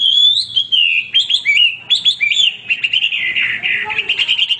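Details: Loud Hwamei song, said to sing without pause: clear falling and rising whistles, then twisting slurred phrases, trailing into a dense, buzzy warble.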